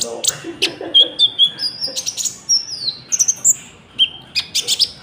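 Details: Lure song of a common iora, with cricket-like fills, for wild trapping and training caged birds: clear, high whistled notes and slurs broken by sharp, evenly spaced chip notes.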